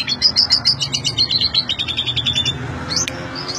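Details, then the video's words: Asian pied starling in ngentrok-style song: a fast run of repeated high chattering notes, roughly four per second for two and a half seconds, then a sharp click and brief rising note over a low hum. "KICAU SUPER JALAK SUREN NGENTROK"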